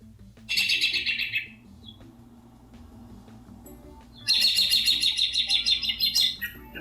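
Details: An American robin, described as the first bird to arrive in springtime and heard outside the window, gives two bursts of rapid, high, bright chirping notes, each one to two seconds, with a quiet pause between.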